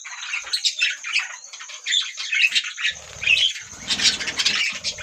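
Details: Budgerigars chattering in a dense, overlapping stream of short chirps and squeaky notes, with bursts of busier warbling around the middle and end and low rustling beneath.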